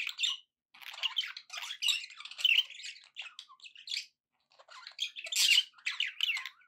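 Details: Happy budgie chatter from pet birds: irregular phrases of buzzy squawks and warbled chirps, split by short silences.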